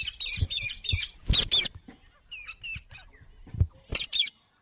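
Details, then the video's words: Green parrot uttering rough, chattering squawks in short bunches, with soft low thumps and taps underneath. "Green Parrot Talking Natural Sounds | Mitthu Ki Awaaz | Tote Ki Awaaz"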